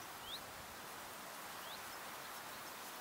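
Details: Green sandpiper at the ponds of Buda Stalowska in the Sandomierz Forest: two faint, high, rising whistled notes, the first near the start and a softer one after about a second and a half, over steady broadband outdoor hiss.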